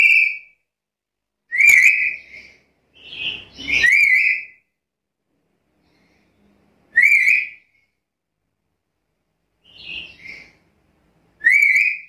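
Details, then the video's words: Black-capped lory calling actively in a varied series of whistled notes, some sliding down, some wavering and some short and clipped, coming in bursts with pauses of a few seconds. "Suara burung nuri kepala hitam gacor"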